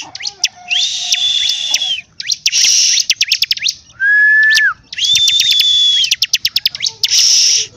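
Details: Bar-winged prinia (ciblek) singing energetically (gacor): long, harsh buzzy bursts carrying a steady high whistle, separated by fast ticking note series, with one lower flat whistle rising then dropping at the end.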